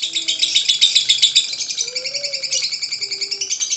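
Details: Lovebird ngekek song, played to provoke lovebirds to sing: dense, rapid, high buzzy chattering pulses with no pause, while faint low whistled notes sound in the background.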